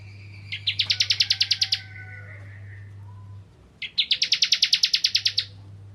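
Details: Bar-winged Prinia of the Ciblek Kristal kind, sung to draw other prinias into singing: two short trills, each of about a dozen rapid sharp high notes rising in loudness, two seconds apart, over a steady hum.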